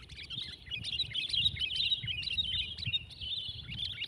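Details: Competing sooty-headed bulbuls, one aged twelve months, pour out a dense, continuous chatter of high twittering notes, rapid and unbroken, with soft low-pitched noise underneath.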